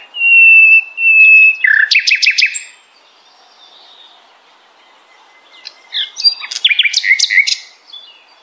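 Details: Common nightingale (Luscinia megarhynchos) opens with two pure level whistles, then a rapid burst of clicking notes. A pause follows, then a second run of fast rattling notes.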